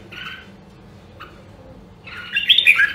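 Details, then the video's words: Red-whiskered bulbul from Nam Dong, Hue, trained for fighting-style singing. A brief chirp and a soft note come first, then after a pause a louder, scratchy, warbled phrase. "Luyện giọng Chào Mào Nam Đông Huế Hàng Hiếm Còn Sót Lại ! giọng cực chất"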